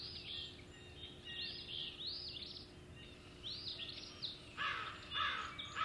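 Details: Male osprey at Hog Island searching for his mate, 17 April 2016. A chain of high, arching whistled notes is given about twice a second, ending in louder, rasping broadband calls, with a faint steady hum in the background.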